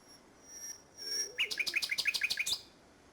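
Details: Nightingale song, Salthouse, Norfolk, 1 May 2011. A thin high whistle and a low note precede a quick, pulsing run of repeated chirps that ends abruptly.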